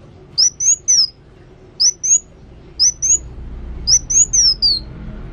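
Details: ['High, thin whistled song from a kolibri wulung sunbird in active voice. Three- and four-note slurred phrases, the final note dropping, recur roughly once a second over faint low noise.']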